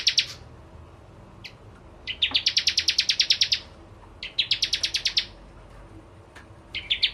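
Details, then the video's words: Bar-winged prinia in strong song: sharp single chips leading into rattling bursts of fast, high, buzzy notes, repeated with short gaps. "Burung Prenjak Jawa Gacor Pancingan Ciblek Kristal"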